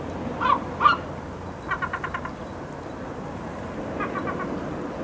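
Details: Ruddy turnstones on a seaside promenade give two short, sharp notes, then a quick staccato rattling series of about six clipped notes, over steady wind and surf noise.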